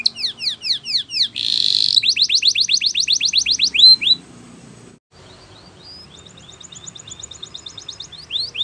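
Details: Spanish Timbrado canary singing a training song: falling sweeps, a short buzzy burst, a fast series of bright repeated notes, a pause with faint background noise, then a thin high trill and upswept notes.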